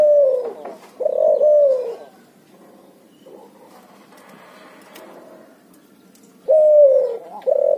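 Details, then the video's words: Cuhu, a hybrid of barbary dove and spotted dove, calling in its ngoar nguku style: two loud, slightly descending cooing phrases, a quiet gap with faint background sounds, then two more coos near the end. "suara burung cuhu gacor ngoar nguku hasil silang puterxtekukur"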